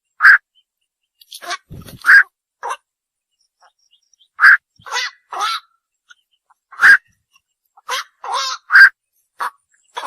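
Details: Night heron uttering emphatic single kwak croaks and short rough doublets, irregularly spaced over several seconds in otherwise quiet surroundings.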